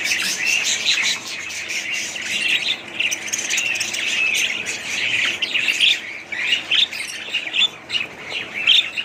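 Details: Warbling budgerigars produce a constant stream of high chirps, squeaky whistles and harsh squawks, several birds overlapping, with the sound growing choppier toward the end.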